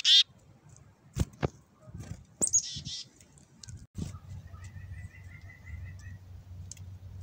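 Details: Hand-fed wild black-capped chickadees: a sudden high whistle-like note, clicks and handling sounds, a burst of buzzy high notes, then a soft even series of faint chips over a low hum.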